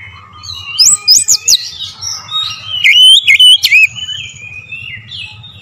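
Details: Oriental magpie-robin song used as a lure: after a quiet start, high piercing whistles and quick chirped bursts, then a wavering whistled phrase, over a faint low hum.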